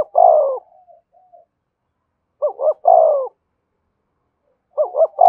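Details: Spotted dove used as a decoy to stimulate and train newly caught doves. Paired short clipped notes are followed by a longer, falling, hoarse coo, with the phrase repeated after a pause of about two seconds.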